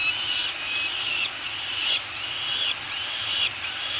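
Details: Peregrine falcon chicks on Anacapa, 15 May 2018, being fed big mouthfuls. They give harsh, high, rasping begging screams in near-continuous bursts, about one every three-quarters of a second.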